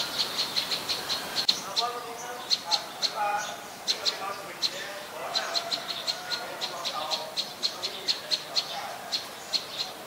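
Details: Adult Common Tailorbird, a common resident, recorded at Ubon Ratchathani, Thailand on 3 February 2023: high, sharp chip notes repeated rapidly, roughly three per second, with faint lower chattering in the background.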